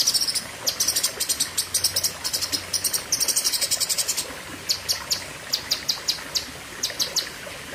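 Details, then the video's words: Cucak kinoi in a long, loud outburst of song. Bursts of very high, rapid clicking notes cluster tightly, pause briefly, and then return in a looser, evenly spaced run. "Tembakan Ngeri Cucak Kinoi (Pedes Panjang)"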